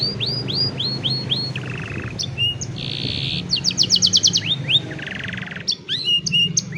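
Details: Canary song for training young canaries, cellphone recording: series of upslurred whistled notes, buzzy rattling trills and a sustained harsh buzz, then fast clicking trills and rising whistles, over steady low background hum.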